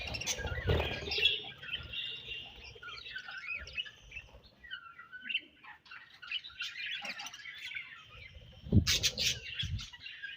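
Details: Colony of budgerigars, warbling chatter with rising and falling chirps and squeaks, broken by loud clattering knocks near the start and toward the end.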